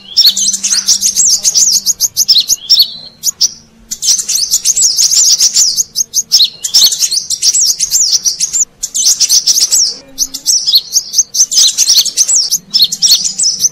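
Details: Wild-bird lure call of the brown-throated sunbird: long bursts of high, rapid, wavering twitters separated by short gaps, each run packed with squeaky up-and-down notes and sharp clicks, continuing steadily throughout.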